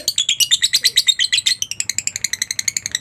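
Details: Lovebird chatter in the ngekek style, meant to set other lovebirds singing: rapid, piercing, rasping notes that start dense and loud, then ease into a lighter, regular string of thinner chirps.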